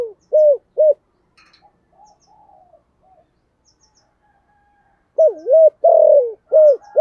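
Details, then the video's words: Spotted dove in the thổ sấm voice style, calling loudly enough to ring through the neighbourhood: low hooped coos in quick groups at the start, a longer burst of four to five coos near the end, faint other birds between. "cu gáy giọng thổ sấm gáy gọi cực đỉnh vang cả xóm"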